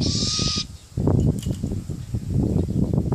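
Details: Captive hybrid of great grey owl and Malay wood owl, thought to be female, gives one hoarse, hissing screech about half a second long at the start, followed by low rumbling handling noise.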